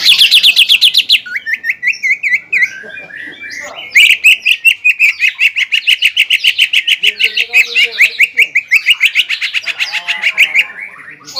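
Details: Caged greater green leafbird singing to provoke a rival: a buzzy opening trill, then a long fast even rattle of clipped whistled notes lasting several seconds, ending in softer mixed phrases.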